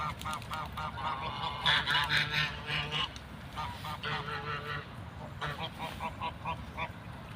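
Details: Ducks outdoors give runs of nasal, harmonic quacks, fast and overlapping, several birds calling at once in bursts with short lulls, over a steady background rumble.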